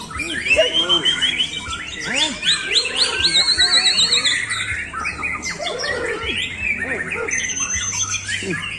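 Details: White-rumped shama singing in the 'Ontorejo' style, performing from a single perch spot: a dense, fast stream of varied sharp whistles, chirps and rattling trills, some notes sliding up and down, with lower arching notes underneath.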